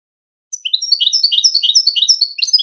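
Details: Wedani-style contest song of a European goldfinch, from a tutoring recording for young goldfinches and hybrids: after a half-second of silence comes an unbroken stream of bright, high, liquid twitters and chirps that runs to the end.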